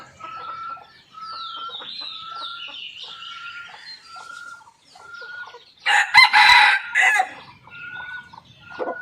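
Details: Red junglefowl watched by a hidden camera on a morning after a storm, when the birds were very lively: a loud, harsh, broadband crow bursts out near the six-second mark over a steady series of short whistled notes from another bird.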